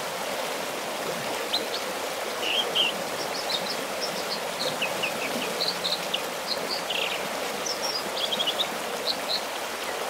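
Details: American dipper singing from its rock at a secluded spot about 10 miles northwest of Bishop, California; scattered high, thin whistled and trilled notes come in short bursts across the stretch over a steady roar of rushing stream water.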